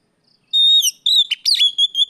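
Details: Oriental magpie-robin singing in the afternoon as a lure for training birds: a sustained pure whistle, then slurred notes and a short burst of rapid, harsher trilled notes.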